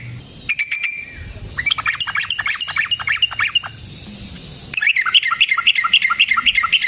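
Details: Sooty-headed bulbul lure song for trapping, energetic and rolling: a few sharp clicks, then a fast string of bubbly whistled notes, a short pause, and another quick run of liquid phrases.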